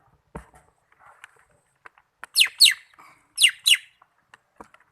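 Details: Greater green leafbird from Malinau giving two pairs of clear, falling whistles amid quiet clicks and a sharp knock.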